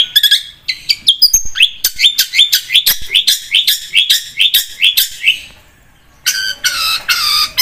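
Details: Long-tailed shrike singing vigorously as a lure: a rapid series of sharp rising whistled notes repeated several times a second, a brief quiet pause, then a harsh buzzy scratchy burst.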